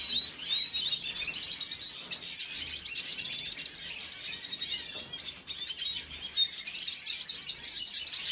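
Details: Over eight seconds a red siskin, recorded on 5 June 2022, keeps up fast, jumbled twittering of sharp chirps and short buzzy trills, rising and falling in loudness but never stopping.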